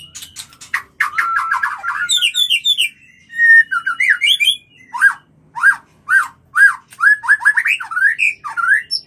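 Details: White-rumped shama mating song, played to bring birds into breeding condition: loud rich whistled phrases, rising and falling slurs and sharp chattering notes, then a run of clear descending whistles repeated about every half second.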